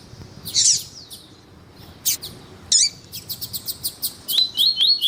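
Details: Male double-collared seedeater singing alongside a calling female, used to stimulate other males: a bright whistled flourish, then sharp chips, a rapid run of clicking notes, and a closing wavering buzzy series.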